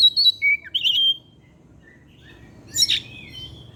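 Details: Oriental magpie-robin, a kept bird in afternoon song. A quick group of high, slurred whistles is followed by a long silence, then one harsh, descending scratchy burst trailing into a thin whistle.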